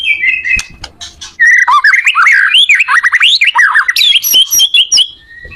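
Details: White-rumped shama singing, a recording meant to help other shamas learn their song: a rich, fast medley of chirps, slurred whistles and squeaky notes, with quick downward and upward sweeps crowding together in a lively burst.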